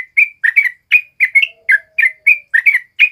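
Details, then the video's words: Prolific singing from a yellow-vented bulbul (trucuk kebo): a steady string of clear, gurgling whistled notes, each slightly rising or falling, a faint low hum running briefly underneath. "SUARA BURUNG TRUCUK KEBO GACOR NGALAS"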